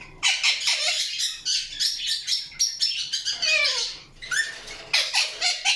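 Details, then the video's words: Indian ringneck parakeet chirping: harsh, broadband screechy notes in quick bursts, some with falling tails, running almost continuously with brief pauses near the four-second mark. "PARROT CHIRPING SOUNDS | PARROT | PARROT NATURAL SOUNDS"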